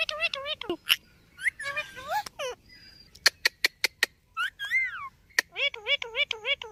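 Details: Talking ringneck parrot: chattering, speech-like undulating phrases interspersed with loud single clicks, closing with a string of repeated wavy syllables.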